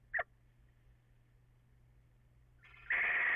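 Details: Little owl recorded on 14 April after 04:56, possibly two calling at once though echo may confuse it, gives a brief sharp call dropping in pitch, then after a pause a loud harsh rasping screech, over a low hum.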